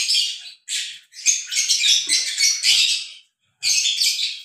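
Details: Mating lovebirds make a rush of piercing, scratchy chirps and squawks that run together, stop briefly, then resume near the end.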